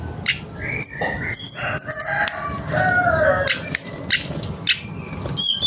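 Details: Mangrove blue flycatcher singing hard and running through its repertoire: paired sharp high chips repeated several times, mixed with slurred mid-pitched whistles and quick upward sweeps, with low background noise.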